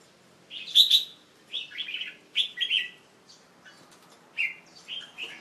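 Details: Young male Red-whiskered Bulbul, a kept bird resting after a bath on a late afternoon, 1 January 2012, delivering a run of rich chirpy warbles, one loud phrase then several shorter rolling notes with brief gaps.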